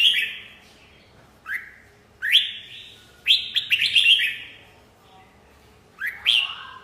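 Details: Bright red-whiskered bulbul song with spaced upslurred whistles and a burst of rapid rippling notes midway, separated by clear silences.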